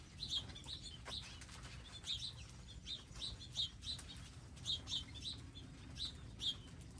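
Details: Wild birds coming daily to garden feeders, seeds and water; clusters of thin high chirps and tweets, often in pairs, scattered through the recording alongside soft rustling.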